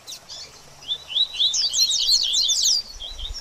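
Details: Baderninha-style song of a double-collared seedeater, played to warm up a bird after moulting: a short, fast phrase of high slurred whistles that quickens into a dense cluster of sharp, sweeping notes before stopping abruptly.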